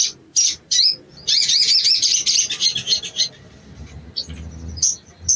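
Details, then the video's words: Sogon, an Indonesian songbird, used as therapy material so birds start singing quickly: three sharp high chirps open into a loud, fast, buzzy twittering run, fading into occasional high notes. "TERAPI BAHAN SOGON IJOAN CEPAT BUNYI"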